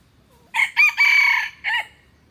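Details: Single crow from a red junglefowl: a brief rough syllable, a rising middle note, a long sustained harsh note, then a short dropping ending, with near-silent surroundings.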